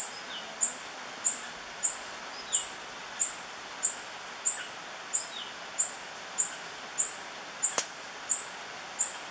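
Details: Repeated high-pitched squeaky notes of a tawny-bellied hermit, recorded in 2013 at La Romera reserve in Sabaneta, Antioquia, Colombia; each thin note is given roughly every 0.6 seconds in a long, even series, with faint forest hiss behind.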